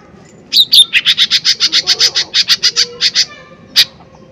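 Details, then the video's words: Energetic lesser green leafbird used as a lure: a squeaky whistled opening, then a quick train of about fifteen sharp, high, clipped notes, breaking into short groups, and one final isolated chip. "Pancingan Cucak Ijo Mini Gacor Full POWER Tembakan keras Mancing Emosi"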